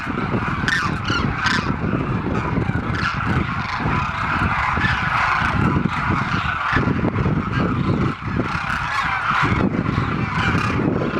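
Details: A large flock of demoiselle cranes at the pond where they congregate in Khichan village, Rajasthan, keeps up a dense, continuous chorus of rolling, honking trumpet calls, with many voices overlapping throughout.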